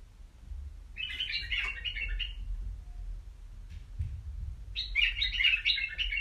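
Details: A caged White-eared bulbul sings two bursts of bubbly, warbling chatter about a second and a half long, separated by a pause, over low background rumble.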